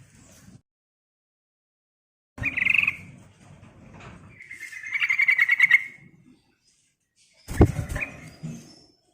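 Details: Yellow-vented bulbul singing 'ngerol, ngeriwik' to lure other birds: a harsh short burst, then a rising run of rapid chattering notes, with a loud knock near the end.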